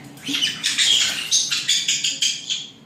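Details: Nine white-bellied caique babies chattering in an aviary near Dallas, Texas; dense, harsh, high squawks and chirps overlap in rapid pulses, several every second.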